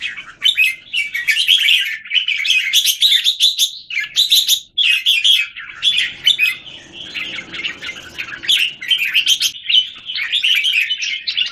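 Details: Caged Red-whiskered bulbuls in Singapore, one bird set against several others, recorded 17 January 2019: dense, overlapping bright chirpy warbles and whistled phrases, nearly continuous, with brief pauses and a faint low rumble midway.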